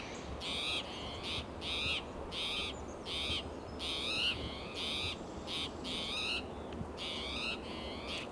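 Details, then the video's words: An agitated, territorial Spotted Towhee on a June morning in coast live oak and Monterey pine, Del Monte Forest, California, gives a dozen harsh, buzzy mewing alarm notes every half second, while another towhee answers more softly, over a low rumble. "Agitated Spotted Towhee Sounds Alarm"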